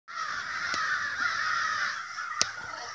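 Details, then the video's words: A large flock of crows, stirred up by an unknown cause, fills the air with a dense, continuous chorus of harsh overlapping caws. The calls are loud and steady for the whole stretch, with a couple of sharp clicks. "A murder of crows!"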